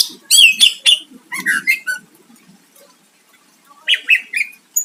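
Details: Greater green leafbird singing to provoke a rival. Opens with harsh, scratchy notes and rich whistles, falls quiet, then resumes with a short series of warbled whistles, with faint low background noise.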